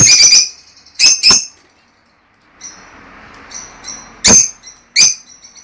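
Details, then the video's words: Lovebird song meant to stimulate mating, with short harsh chirps in quick pairs, faint thin twitters in a quieter gap, then two more sharp isolated chirps. "El canto más poderoso para estimular y estimular a las aves agapornis a aparearse y producir"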